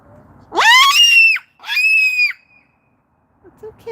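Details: Pet Moluccan cockatoo on a sunny patio screams twice, loud and harsh, each rising sharply then holding a piercing, strained pitch under a second, upset after seeing a child fall off a bike across the street; faint soft sounds follow.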